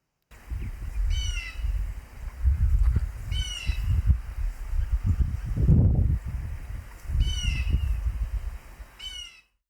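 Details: A blue jay gives four harsh buzzy jeer calls, spaced two to four seconds apart, over a constant low rumble; described as calling to its chicks while flying between trees.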